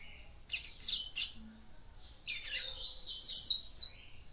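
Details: Female papa-capim seedeater singing to stimulate the male: short bright chirps, then a faster run of high twittering notes with sharp squeaky peaks. The background is quiet and indoor-sounding.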